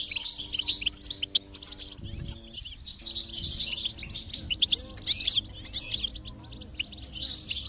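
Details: Stimulation song of a goldfinch for a silent goldfinch: busy, overlapping twitters and chirps in lively bursts with a short quiet gap in the middle, over low steady tones.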